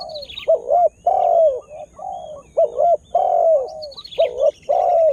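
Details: Spotted dove used as a lure bird to provoke wild birds, just starting to call actively: low, hollow coos in short two- and three-note phrases, each note dipping and rising, with faint high chirps of other birds in the background.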